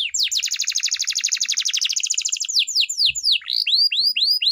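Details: Canary song for training, opening with a fast dense rolling trill and slowing into separate swooping whistled notes repeated about twice a second.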